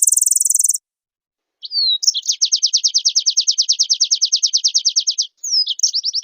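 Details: Oriental white-eye singing actively in reply to another bird. A very high, thin buzz opens. Then a falling slurred whistle introduces a long, rapid, sharp trill, followed by more twisting slurs.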